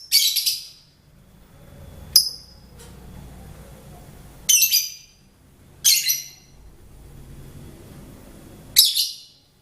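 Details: Songbird chattering in short, harsh, high bursts, each about half a second long, separated by quiet gaps of one to three seconds, with a soft low hum underneath.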